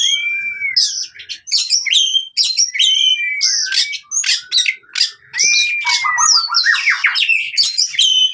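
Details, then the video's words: Oriental magpie-robin in fighting song meant for birds gone silent: loud arching whistled slurs alternating with rapid scratchy notes and buzzy chatter, nearly continuous. "KACER TARUNG COCOK UNTUK KACER MACET BUNYI"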